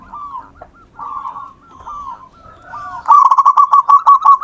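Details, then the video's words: Persistent song of a local wild-type zebra dove used to draw other birds into singing: several gentle descending coos, then a long, fast, loud run of clipped pulsing notes ending the phrase. "perkutut lokal alam. Gacor Ampuh buat pancingan"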